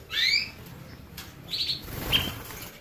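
Canary giving a few sparse, high notes: a quick rising whistled sweep, then a brief bright burst and a short chirp, with a soft rustle between.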